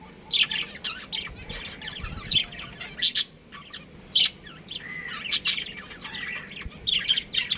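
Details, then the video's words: Breeding pair of pet budgerigars giving bright high chirps and warbling chatter in repeated bursts, some sharp and loud, with a soft whistle in the middle. "Cute Budgies Chirping Sounds | Budgies Breeding Pair"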